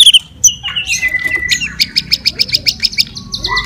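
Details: Energetic fighter song of a white-rumped shama, used to provoke rival birds: sweet whistled slurs at the start, then a steady series of about a dozen crisp high notes repeated rapidly, ending in lower warbled phrases.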